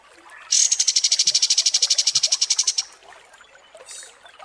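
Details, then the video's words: Kapas tembak songbird, recorded as tutor song for contest birds, delivering one high, dry trill of quickly repeated pulses lasting over two seconds. It is steady in pitch, then stops, leaving a quiet background. "MASTERAN KAPAS TEMBAK DURASI PANJANG"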